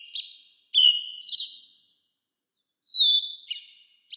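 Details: American robin calls: level whistles trailing into buzzy tails, one phrase then another after a gap of about a second, over a silent background.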